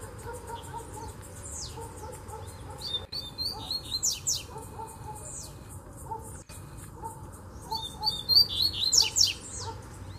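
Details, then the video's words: Distant double-collared seedeater singing in bamboo, two bursts of rapid high chirps and downslurred whistles separated by a pause, with softer lower chirps from other birds and a constant background hum. "Coleiro Mateiro Cantando no Bambuzal de Longe!!!"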